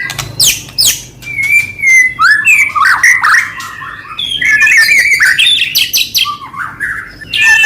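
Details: White-rumped shama singing to trigger other shamas, a jumble of fluty mid-pitched whistles, harsh squawky notes and scratchy chatter delivered continuously.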